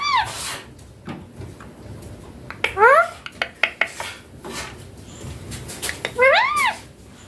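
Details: Young green Indian ringneck parakeet talking indoors: short bursts of rising, speech-like harmonic syllables at the start, middle and end, with clicks and tapping between them.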